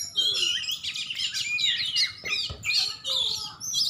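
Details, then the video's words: Champion oriental magpie-robin from Aceh singing a rich, tumbling mix of warbled whistles and chirps, with a single sharp click midway. "Kacer juara"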